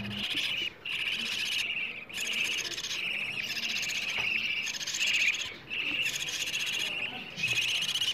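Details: Budgerigar chicks calling for food, a playback to encourage budgies to mate, lay eggs and raise chicks, morning and evening: coarse, buzzy begging bursts repeated about every second with brief quiet gaps.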